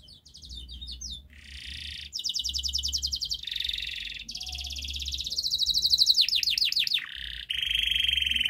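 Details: Canary song played as a master to stimulate a silent canary: continuous rolling trills and buzzy rattles at varying pitch, with a run of descending sweeping whistles near the end, over faint low hum.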